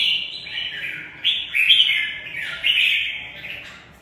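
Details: Caged red-whiskered bulbul of Mộc bộ type giving a sustained fighting song: rolling, slurred whistled phrases rising and falling in waves, loud throughout and fading at the close.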